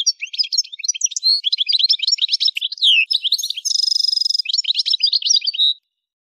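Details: Continuous twittering from an Algerian goldfinch (parva) recorded at Kef El Hamam, Souk Ahras region, Algeria. High chirps and slurred whistles run together, broken by a harsh, buzzy rattle-trill near the middle, then more bright twitters before fading out.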